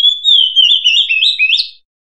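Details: Oriental magpie-robin trapping lure song: one continuous phrase lasting under two seconds. It starts with a steady whistle and breaks into a fast, wavering warble of slurred notes that rises slightly at the end.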